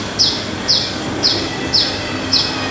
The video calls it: myna bird talking